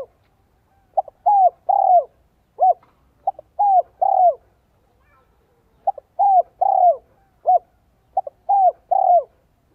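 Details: Decoy spotted dove used to lure wild doves, voice style called giọng son 1 cốt lỡ; six repeated phrases, each a short clipped note then two mellow, downslurred coos, the last longest, in a quiet setting.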